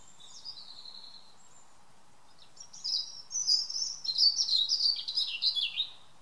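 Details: Evening song of a European robin recorded in a garden: a soft opening phrase, a pause, then a loud, rapid cascade of tinkling, warbled high notes lasting about three seconds.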